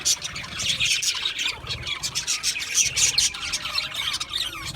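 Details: Several budgies chattering at once, a constant bright stream of high chirps, clicks and scratchy warbles with rapid irregular notes and no breaks.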